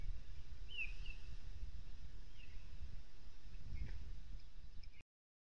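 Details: Osprey pair at their nest in Kurzeme, Latvia, on 23 April, as wind, rain and wet snow shake the nest; the female has not yet laid. Short, high whistled chirps, some slurred, spaced a second or more apart over low wind rumble.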